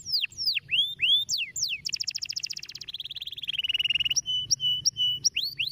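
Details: Stimulating canary song: curving whistles, a rapid high trill, a lower rolling trill, then short steady whistled notes alternating with quick upswept calls, varied and loud.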